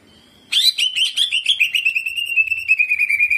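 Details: Greater green leafbird in a cage singing jamtrok with ciblek mimicry and a rolling delivery: after brief quiet, a fast pulsing warble of whistled notes that gradually settles into an even, slightly falling rolling trill.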